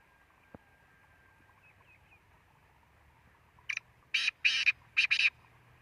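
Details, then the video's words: A Black francolin gives its rasping, buzzy phrase near the end: a brief introductory note, then four harsh, loud syllables in quick paired bursts, after several seconds of near silence with a faint click. "kala teetar ki awaz"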